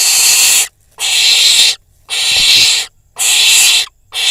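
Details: In Israel, a young barn owl fledgling at a camera-watched nest with a pigeon nearby gives steady harsh hissing screeches after a prey drop, four near-second-long bursts in a regular rhythm.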